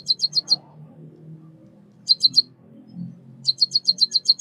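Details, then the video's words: Short bursts of rapid, high, ticking chirps from a white-headed munia (bondol kaji), five, then four, then a longer run of about eight, separated by quiet gaps with a faint low hum. "Suara kicauan burung Pipit emprit Bondol kaji gacor 323 | Bird chirping sounds | white headed munia"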